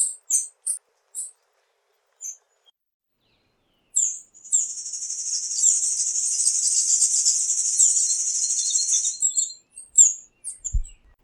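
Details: Tanager giving a few high sharp notes, then a long, even, buzzy high trill lasting about five seconds, ending with scattered chips.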